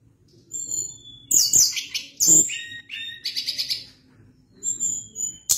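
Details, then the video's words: Sunda blue robin (tledekan gunung) singing energetically in a long rolling run: bursts of high sharp chirps, thin whistles and buzzy trills, separated by short pauses, with a faint low hum beneath. "Ocehan Tledekan Gunung gacor Ngeri Bikin Tledekan Apapun ikut Gacor Ngerol Panjang"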